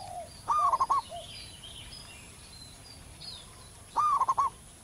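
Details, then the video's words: Zebra dove in the wild with a big voice: two rolling phrases roughly three and a half seconds apart, each a rising note and a burst of quick coos, faint lower coos and chirps around. "perkutut lokal manggung gacor di alam liar suara besar"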